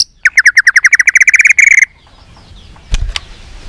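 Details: White-rumped shama used to stimulate other shamas to sing: a fast, even trill of about fifteen bright, chipping whistled notes lasting under two seconds, followed by near silence and two faint clicks.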